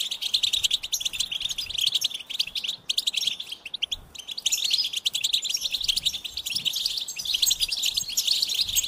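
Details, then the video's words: High, fast goldfinch twitter in long bursts of tinkling chirps and short rattles, with a brief pause near the middle before the song resumes. "Experience the Goldfinch Singing"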